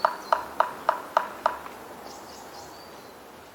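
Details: Japanese bush warbler in early-summer forest in Hokkaido, giving six sharp, clipped notes in quick succession, about three a second, then fading into faint high chirps and a thin steady hiss.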